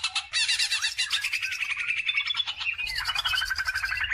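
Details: Greater green leafbird lure song for stimulating other birds: busy scratchy chattering with interleaved whistled slurs, shifting into a higher buzzy rattle with a faint low hum behind.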